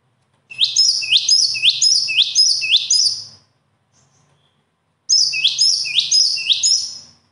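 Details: Bird song in two strong bursts, each of five or six repeated phrases pairing a thin high note with an upward-swept ringing note, roughly two phrases per second, with a faint low hum underneath.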